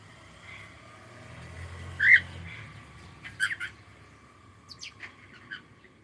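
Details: Cockatiel vocalising in a series of short, sharp chirps and squawks, one stronger note followed by clusters of quick clicks and tweets, over a low background hum.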